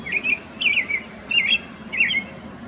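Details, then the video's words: Male Brown-headed Cowbird in Desbarats, Ontario, about 10 m away, singing to and chasing a female (unsuccessfully): four quick bursts of squeaky, gurgling slurred notes with thin high overtones, about one every half second. "Cowbird Singing and Chasing Mate"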